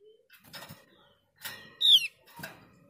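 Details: Javan grey-throated white-eye call meant to provoke a quiet bird into song: one clear, falling whistled note over repeated rustling, fluttering and scraping noises.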